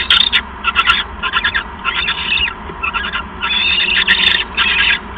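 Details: Loud hoarse screeches and scratchy chatter from owls bonding during an evening visit, 7 January 2015, on a live camera. The bursts come close together, some with sharp clicks, above a low steady hum.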